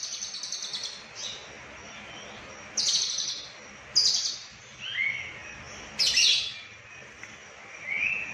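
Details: Konslet-style lovebird from Cililin, described as full isian, gives scattered harsh high chirps and short buzzy bursts, with a few rising whistled notes between them, spaced irregularly over quiet background hiss.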